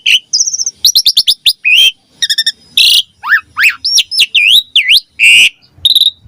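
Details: Lure and tutoring song of a Javan pied starling for young starlings: rapid chip bursts, a high level whistle, rasping broadband notes, then swooping V-shaped whistles rising and falling one after another.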